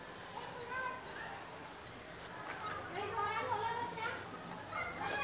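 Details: A red-whiskered bulbul chick in its nest in a back yard gives thin, high chips about twice a second, over a lower, murmuring, honk-like background of other voices.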